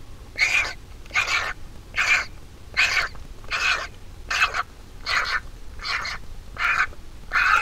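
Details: Large vulture nestling in its nest, being fed by its mother: harsh, raspy, hoarse bursts repeated at roughly one per second, about ten calls, over a low rumbling background.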